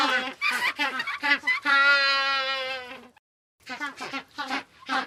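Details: Group of penguins: a run of short honking pulses swells into a sustained nasal bray, then a silent gap, then more staccato calls trailing off.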